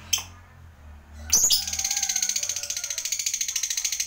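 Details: Fighter lovebird giving the 'ngekek panjang' long trill, used to stir other lovebirds to answer: after a faint chip and a loud harsh note, a steady, rapid, high-pitched rattling chatter runs continuously to the end.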